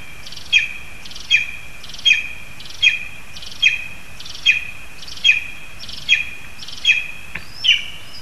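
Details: Lesser spotted eagle in a spruce in Zemgale, Latvia, at a time when a frog is brought for the young; sharp, high yelping notes repeated steadily about every 0.8 seconds, ten in eight seconds, the last one louder and rising.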